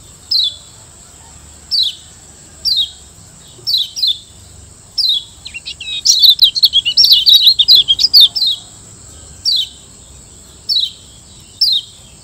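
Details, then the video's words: Lombok yellow white-eye (kecial kuning, Zosterops) master-song recording: high, sharp chirps about once a second, breaking midway into a quick run of rapid twittering, over a steady high hiss. "Masteran Kecial Kuning"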